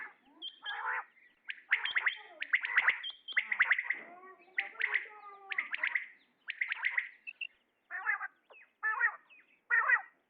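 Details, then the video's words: Common quail male calling in a long, dense sequence of sharp, clipped notes and rasping phrases, with several rapid grouped notes, then shorter harsher bursts toward the end. "Batair awaz | Quail sound | common quail calling | Male Quail sounds | How to call Quail |QUAIL call"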